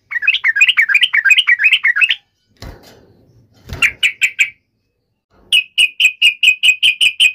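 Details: Quick chattering from a yellow-vented bulbul provoked to fight, then a soft thump, then a series of sharp, clipped notes repeated about twice a second.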